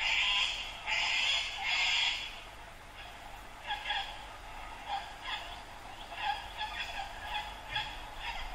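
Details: White cockatoos, a flock perched in a dead riverbank tree on the Brisbane River at Yeronga, Queensland, Australia, on a balmy morning from blue hour to sunrise. Two long, loud, harsh raspy screeches open, then many shorter grating squawks overlap from several birds.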